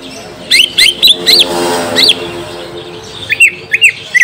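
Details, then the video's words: Green leafbird song meant to coax a young untrained bird into replying: sharp, springy whistled notes that rise and drop, first a cluster of four, a lone note, then three evenly spaced notes. "Pancing cucak ijo bakalan / mh langsung nyaut bunyi"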